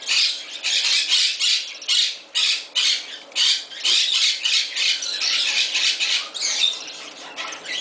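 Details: Captive male Moluccan cockatoo in a bird shop in Summerville, South Carolina, shrieking loudly indoors: a series of harsh, grating screams in separate bursts of about half a second, with short gaps between them.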